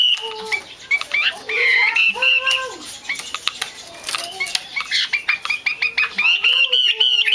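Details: Female Chinese hwamei voice used to provoke males into song: busy mix of harsh squawky notes, clicks and slurred whistles, with a lower drawn-out tone, then a quick sequence of short chirps and rising whistles.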